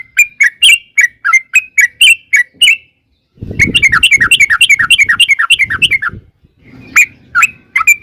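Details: A sooty-headed bulbul sings a long lure song to coax answers from other birds. Spaced chirps give way, after a brief pause, to a dense rattling run of notes, then a few separate chirps, over some low rumbling noise.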